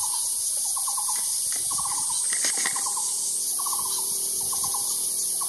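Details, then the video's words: Repeated calls of a Taiwan barbet: about six bursts of four to five fast hollow notes at fairly regular intervals, beneath a steady high insect whine with a brief louder noise midway. "Calls of the Taiwan Barbet"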